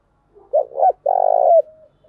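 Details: Spotted dove, a female kept as a lure, cooing to attract others: two rounded low hoots, then a long throbbing coo that lifts slightly at the end, with a faint trailing note after it.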